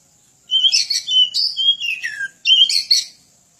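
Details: Song of an Oriental magpie-robin, known locally as kacer, used as a tutor recording for other birds: rapid sequence of whistled slurs falling in pitch, interleaved with buzzy chatter, then a fresh phrase starting after a short gap.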